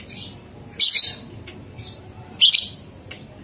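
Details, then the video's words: Lovebird ngekek song, a training recording meant to get two-month-old young lovebirds singing: two loud, harsh, shrill chattering bursts about a second and a half apart, with fainter short chirps between them. "Masteran Lovebird Paud 123 Ketukan Terbukti Ampuh Merangsang balibu 2 bulan Ikut Ngekek"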